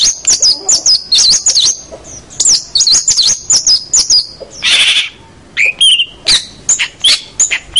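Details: Tutor song of a vigorously singing long-tailed shrike for training young captive birds: rapid high warbled and twisting whistles, then a brief harsh rasp and scattered sharp chips.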